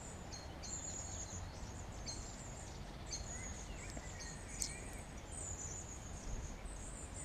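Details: A Eurasian wren in a young urban woodland copse near Birkenhead, Wirral, England, sings fairly quietly in bursts of rapid, very high trills and chattering notes over several seconds, with a steady low rumble of wind or distant traffic.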